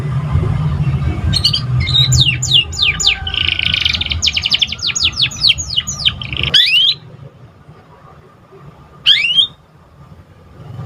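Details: Juvenile canary learning to sing, played to stimulate other birds: a dense run of rapid falling whistled notes for several seconds, then near silence with one lone upward-sweeping note, low hum underneath.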